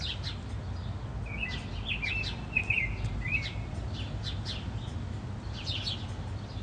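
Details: House sparrow (Passer domesticus), chirps: aggression between rival sparrows during a fight.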